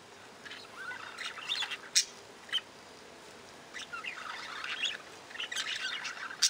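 Budgerigars chattering in quick, scratchy bursts of warbled chirps, with sharp high clicks, pausing briefly before the busy twittering resumes.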